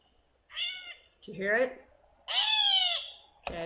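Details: Gray Catbird giving its mew call: several harsh, nasal, cat-like meows that slur downward, about one each second, with a voice talking in between.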